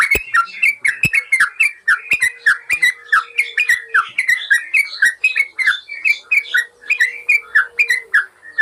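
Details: Master recording of yellow-vented bulbul song for tutoring caged birds: a dense stream of chattering, bubbly whistled notes, with occasional loud clicks and a faint steady hum underneath.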